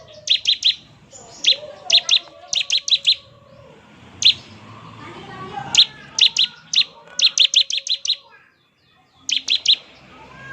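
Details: Ngebren song from a Bar-winged prinia: short trains of three to six sharp, high chirps repeated at intervals, one isolated note between them, over low background chatter and rumble.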